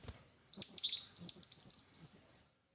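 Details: Black-winged flycatcher-shrike song in two quick series of high, thin trilled notes, the second trailing off into a sustained thin note.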